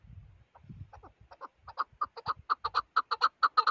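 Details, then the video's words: Chukar partridge: a series of clucking notes that starts low and soft, then speeds up and grows louder into a rapid, even run of sharp chuk notes, about two per second, with some low thumping noise at the start. "shikari king chakor"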